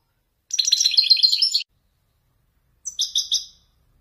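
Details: A Moroccan Wijdani goldfinch male sings a one-second run of quick, sparkling, twittered notes in the Marrakech descending style, falls silent, then adds three short ringing chirps.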